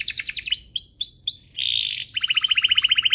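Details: Domestic canary song used as a master recording to train young canaries: quick falling whistled notes, then looping upswept phrases, a harsh buzzy burst, and a fast dry trill of repeated notes.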